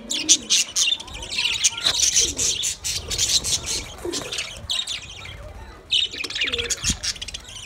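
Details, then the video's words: Budgerigars talking among themselves: dense, scratchy chirping and warbling, many quick notes tumbling over one another with brief pauses, occasional louder squeaks standing out. "Budgies birds speak to each other Beautiful Budgies talking sounds"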